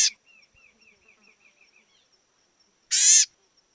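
A House Wren gives a quick run of about nine high chirps, evenly spaced, followed by a brief, loud, harsh rasp.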